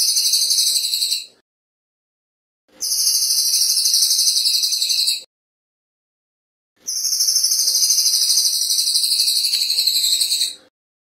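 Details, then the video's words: Cililin bird song for training other birds: three long, fast, buzzy, very high trills, each lasting about one to four seconds and separated by short silent gaps. "Masteran Terbaik Cililin ~ Speed Rapet Suara Jernih"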